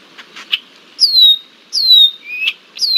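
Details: Red-winged blackbird pestering a bald eagle at Decorah, Iowa, summer 2023, giving drawn-out falling whistles that level off, about three in three seconds, preceded by soft rustling taps.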